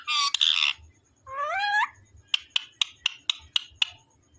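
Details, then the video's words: Talking parrot gives a harsh squawk, then a rising, bending, voice-like phrase, followed by a rapid series of about seven short clicking pips. "parrot real sound l cute parrot talking everything"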